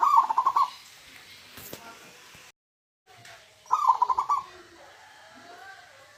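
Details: Zebra dove, a local natural type, with its 'huuurrr' song. Two brief burred cooing phrases of quick pulses sit nearly four seconds apart. A short total dropout falls between them, and a few faint clicks are heard.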